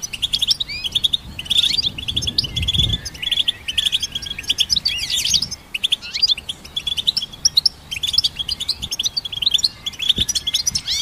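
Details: ['Extended goldfinch twitter from hybrid birds meant for songbird training: bright chirps and buzzy trills in quick phrases, phrase after phrase with brief gaps between.']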